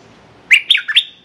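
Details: Calling red-whiskered bulbul serving as a decoy to lure a territorial wild bird: a single crisp phrase of four quick warbled whistles, up and down, with little background.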